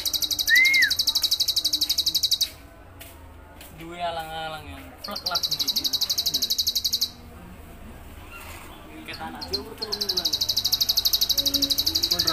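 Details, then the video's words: Bar-winged prinia singing vigorously in the ngebren style: long bursts of rapid, high, buzzy pulsed trills lasting a few seconds each, opened by a single arched whistled note, with faint voice-like sounds in the gaps. "Burung ciblek gacor ngebren"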